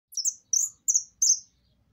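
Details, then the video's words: Saffron finch singing in the maquina song style: four bright, high, downslurred whistled notes, each a quick sharp sweep, evenly spaced about a third of a second apart in a quiet setting. "Canto de mistito maquinaa"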